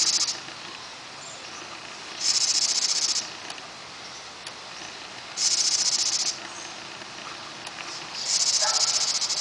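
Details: House wren nest in June with a pair feeding their young: loud, high-pitched rasping bursts roughly a second long, repeated about every three seconds, four in all, with quiet gaps between.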